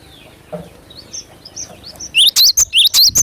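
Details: Cinereous tit, known locally as glatik batu, singing gacor for a lure: soft, thin high notes first, then a sudden string of loud rising whistles near the end, with a low thump.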